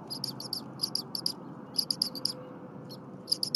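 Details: Berry College eaglet calling while the mother returns from a break and works on frozen prey. Bright, piercing chirps in short groups with brief pauses, over soft rushing background noise.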